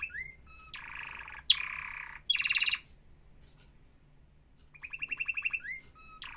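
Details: Atlantic canary song in short separated phrases: harsh buzzy bursts, a dense pulsed roll, a long quiet gap, then a rising trill of repeated notes with rising whistled slurs, over a soft low hum.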